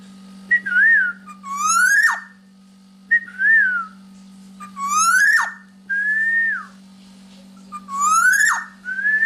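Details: Black-naped Oriole in full song for training other birds: short mellow arched whistles, each followed by a loud twangy upward-sweeping nasal note, repeated about every two seconds against a constant low hum.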